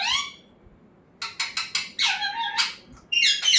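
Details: Talking parrot at home indoors: a harsh rich squawk, then four short sharp clicky bursts, a long warbling squeal, and a final loud raspy screech.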